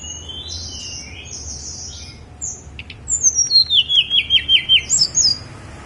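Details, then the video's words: Snowy-browed flycatcher singing on Gunung Songgo Langit: thin high squeaky notes, then a fast run of about ten sharp, slightly descending whistled notes, with faint low rumble behind. "KICAU TLEDEKAN GUNUNG SONGGO LANGIT"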